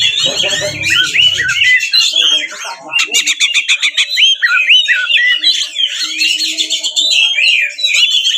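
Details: Fighting song ('ngeplong tarung') of the Oriental magpie-robin, used to rile other magpie-robins into answering and opening their tails; long, varied outpouring of loud whistles, rapid clicking chatter bursts and slurred high phrases, with low rumble at the start.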